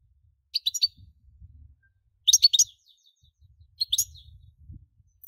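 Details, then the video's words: European goldfinch singing in quick bursts of bright, tinkling twitters, three short clusters of high liquid notes about every one and a half seconds. "Most sweet goldfinch singing | Goldfinch singing"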